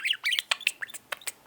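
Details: Caged pet budgerigar making its bird sounds indoors: a quick string of short, sharp chirps and squeaky notes over about one and a half seconds, with a person speaking to it nearby.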